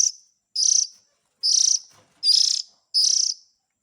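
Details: Lure sound of young Oriental magpie-robins calling to parents: five quick, grating, high hissy bursts, coming a little faster than once per second.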